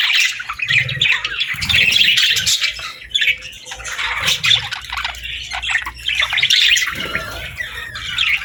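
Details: Parakeets chattering in the morning: bursts of high, scratchy chirps and squawks from several birds rise and fall in waves, with brief quieter gaps and faint low bumps.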